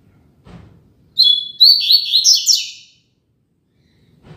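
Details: {'caption': 'Classic Tui Tui Zel Zel song of the Double-collared seedeater, a model for training young birds: a lively phrase of clear whistles and buzzy trilled notes lasting under two seconds. Soft knocks sound before and after.'}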